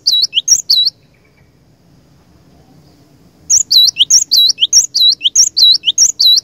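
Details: Lure cinereous tit in full song: a few high two-note whistles, a quiet spell, then a brisk, regular string of paired whistled notes to the end.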